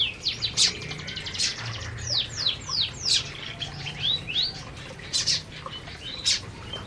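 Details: Several canaries eating in an aviary give a busy run of high chirps and quick downward-sweeping whistles, with a low background hum throughout.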